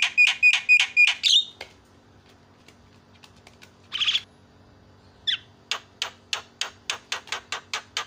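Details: Javan myna song used to provoke rival mynas: a burst of quick whistled notes, a pause with scattered faint ticks, a single harsh squawk, then a steady series of about a dozen sharp clicking notes.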